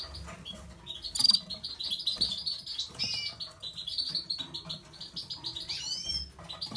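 Red-fronted serin giving a run of high, thin twittering and trilled notes, with a few sharp upslurred chirps near the end.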